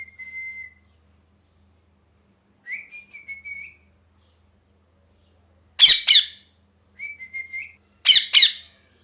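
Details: Angry, molting pet parrot alternates short level whistles with loud rasping squawks, two squawks about two seconds apart, each preceded by a wavering whistle, indoors with little background sound.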